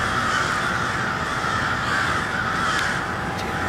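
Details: Many noisy crows in Westport, Kansas City, at cold twilight, producing a dense, unbroken chorus of overlapping harsh caws that holds steady throughout, with no single bird standing out.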